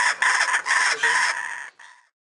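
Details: Laughing kookaburra (Dacelo novaeguineae) call: a brief burst of harsh, raucous cackling, five quick choppy notes, then a fading final phrase, with no other sounds.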